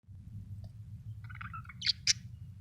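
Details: Happy budgerigar chirping: a few soft warbled notes, then two sharp, high, bright chirps close together near the end, over a steady low hum.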